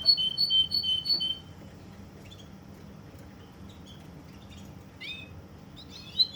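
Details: Russian canary in Kuwait opening with a quick, high, evenly pulsed trill of bright paired notes. A long near-silent pause follows before a few scattered high chirps and a short rising flourish return at the end.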